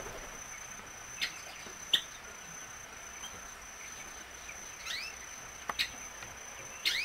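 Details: Violaceous euphonia giving quick rising whistled upsweeps, several in a row late in the recording, mixed with sharp clicking taps against a steady thin high hum.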